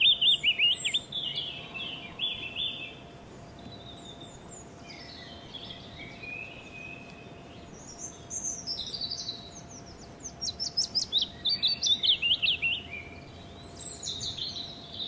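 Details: Willow warbler, a spring migrant from Africa, in scrub in a forest near Oundle, UK, in the third week of April 2008. It sings a sweet, descending phrase repeated every few seconds over a spring chorus of blackcap, robin, thrush and blackbird.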